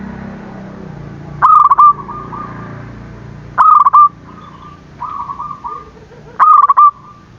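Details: Zebra dove calling briskly to provoke rivals; three loud, quick trilled coo phrases about two and a half seconds apart, interspersed with quieter coo phrases and a low background hum.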